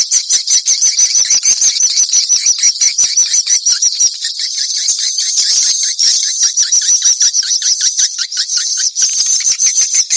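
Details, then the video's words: Swallows keep up a dense, high twittering chatter of rapid chirps, about three a second, continuous throughout with no other sounds. "ang pinakamagandang swallow call sound"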